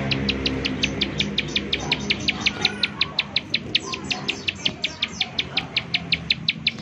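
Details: Series of fast, sharp, high chipping notes from a bar-winged prinia in 'nembak' calling, meant to lure other prinias into song; steady rhythm of about five notes a second over a low murmur of background noise.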